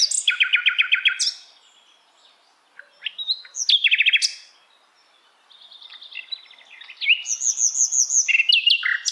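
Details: Asian brown flycatcher tutor song for songbirds to learn: fast buzzy trills of repeated high notes, brief silences between phrases, then a long, very high rattling series of evenly spaced ticks.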